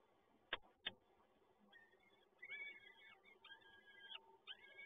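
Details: Peregrine falcon chicks at the Toruń nest during a feeding on 30 April 2022. Two knocks are followed by a string of thin, wheezy begging cries.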